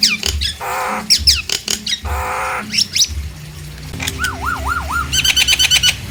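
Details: Nias hill myna, used to provoke silent mynas into singing: loud harsh bursts and sharp falling whistles, a smooth wavering siren-like whistle, then a fast rattling series of high notes.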